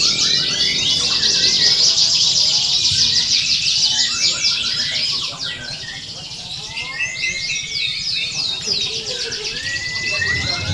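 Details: Contest canaries in a training simulation of a singing competition. Loud rapid trills and sweeping chirps from several birds, easing briefly in the middle before rising again, over murmuring voices.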